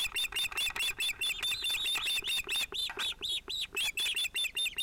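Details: Osprey family at a nest in Finland, 31 July 2018, two chicks probably male with the adult pair as a chick interrupts them: steady fast run of piercing, slurred whistled yelps, several per second without break.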